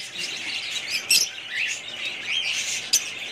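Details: Budgerigars twittering in a group, a steady wash of high warbled notes with two brief, sharp squeaks standing out, one after one second and one near the end.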